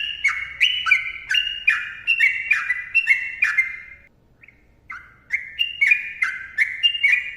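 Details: Trucukan (yellow-vented bulbul) in vigorous, tightly packed ropel song for luring and tutoring: a run of liquid, chattering downward phrases, a second-long silence with a tiny note, then the phrases resume rising slightly.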